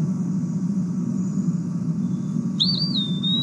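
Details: Eastern wood-pewee (Contopus virens) song: one sweet, slurred high whistle that wavers, then draws out into a long even note. A steady low rumble runs underneath.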